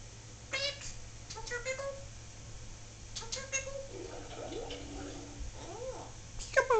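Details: Pet Solomon Island Eclectus parrot talking indoors, giving a run of short harmonic voice-like syllables and squawky mimicked phrases, some rising and falling, with a steady low hum throughout.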